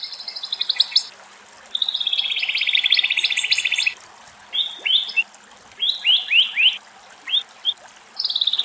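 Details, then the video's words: A European stonechat in Greece sings short, scratchy, high-pitched phrases of rapid twittering notes, broken by brief pauses, with faint background hiss. "Μαυρολαίμης - Πουλιά του Δάσους Κελάηδημα - European stonechat"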